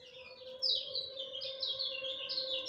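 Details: Bright, fast twittering of a lemon-bellied white-eye at dawn, a continuous run of high slurred notes starting abruptly, with a constant low electrical-sounding hum underneath.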